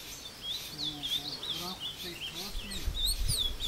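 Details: Ultramarine grosbeak singing in the woods near Passos, Minas Gerais, Brazil, during a fight with a wild bird; continuous quick warbling whistles over human voices and some low thumping.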